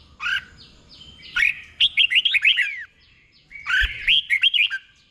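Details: Caged red-whiskered bulbul singing the doubled 'boen' song slowly and clearly so other birds can copy it; short sharp notes open into two rippling phrases of arched whistles, the second ending in quick repeated chirps.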